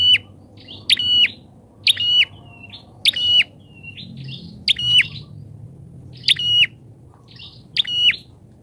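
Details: Bar-winged prinia kept as a lure bird, calling loudly enough that wild prinias keep away: crisp high chirps each ending in a flat whistled note, repeated roughly once a second with faint softer notes between.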